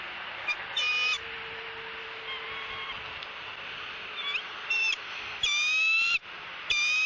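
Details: Begging female bald eagle at a southwest Florida nest while her mate feeds her fish; faint squeaks at first, building to loud shrill squeals near the end, over steady hiss.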